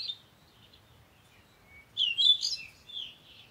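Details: Parakeet giving a short burst of high, scratchy chirps after about two seconds of near silence, followed by a softer trailing squeak.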